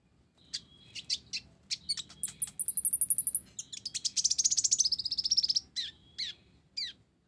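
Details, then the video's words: A sunbird sings a fast, high, scratchy medley of sharp chirps, thin whistles and rapid buzzy trills, packed closely together with a few brief pauses. "Kolibri Ninja Blorok Gacor isian Gereja"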